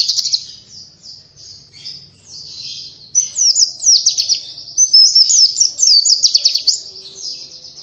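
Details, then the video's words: Song of the Oriental white-eye, or pleci, for luring birds: soft thin warbles at first, building after three seconds into loud, fast, high chattering runs that continue nearly to the end. "Burung Pleci cuitannya gacorr cocok untuk pancingan!!"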